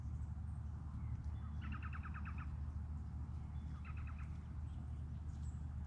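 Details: Three bowerbirds; two quick rattling bursts of about seven clipped, evenly spaced harmonic notes, the second burst shorter, over a steady low hum.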